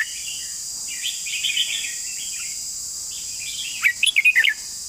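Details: Long song from a Red-whiskered bulbul. Soft, distant warbles give way to a loud, quick phrase of about six whistled notes near the end, over a continuous high insect whine.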